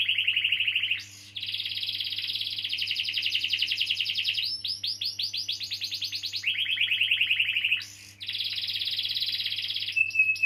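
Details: Canary with extended rolling song, used as a lure for young canaries or those that have stopped singing: alternating rapid trills, buzzy rolls and swept chirps, broken by short harsh notes, ending on a thin whistle.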